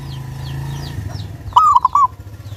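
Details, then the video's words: A clear-voiced local zebra dove used as a lure to get other doves calling. It gives a single cooing phrase: a short note, then a quick run of rounded coos ending in a longer one. Faint twitters from other birds and a low background hum are also heard. "Perkutut Lokal Gacor Suara jernih ini Paling Ahli bikin Pancingan Burung Perkutut Agar rajin Bunyi"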